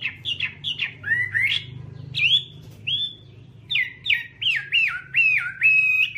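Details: Chinese hwamei song of varied slurred whistles and sharp notes, finishing with a run of four or five repeated swooping phrases, against a constant low hum.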